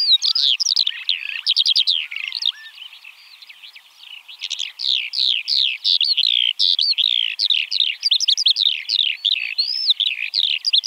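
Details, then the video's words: Eurasian Skylark (Alauda arvensis) singing a fast, unbroken stream of high chirrups and trills. A brief quieter stretch in the middle carries faint lower whistles, then the dense warbling resumes. "Eurasian Skylark (Alauda arvensis)"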